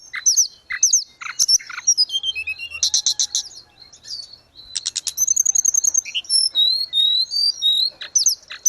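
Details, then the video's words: Grey-cheeked bulbul song, meant as training and therapy audio for cage birds: varied high chirps and trills, dense rattling bursts midway, then a long flowing series of slurred whistles. "Terapi tledekan gunung _gacor"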